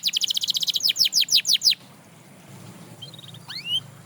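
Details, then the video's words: Canary song meant to get other canaries singing: a rapid high trill that slows into five louder sweeping notes, then near silence with a brief faint twitter and one rising whistle near the end. "Watch How This Canary Inspires Others to Sing Again!"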